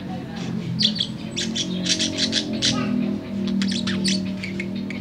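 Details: Tame budgerigar singing in the late afternoon: bursts of scratchy, squawking chatter and sharp clicks come in quick runs, pausing briefly midway, over a steady low droning hum.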